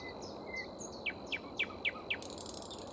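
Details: Nightingale song near a grey warbler feeding in a flowering tree: five loud, evenly spaced downslurred notes, then a harsh buzzy rattle, with thin high whistles earlier and constant low background noise.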